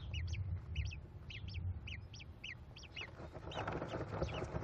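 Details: American kestrel nestlings, five at a Cornell nest box, calling as their mother feeds them on 18 May 2021: rapid paired high squeaky notes in steady series, with rustling and low background rumble.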